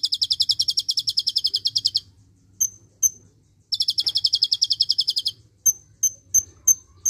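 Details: Kolibri ninja singing a tutor song with cililin shots: two long rapid high trills of closely repeated buzzy notes, each nearly two seconds, with thin sharp chips between and after them.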